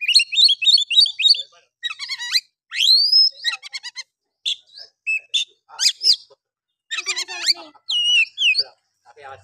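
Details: Oriental magpie-robin singing in the rough 'nembak' (shooting) style, used as a lure to rouse other magpie-robins into singing: fast varied whistled phrases, trills and rising sweeps, high-pitched and delivered in dense bursts with short pauses.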